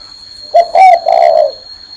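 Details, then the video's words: Perched on a hand, a spotted dove gives one clear coo phrase: a short note, a louder accented note, then a long, smooth, low hollow coo fading out. "CHIM CU Đậu trên tay vẫn gáy"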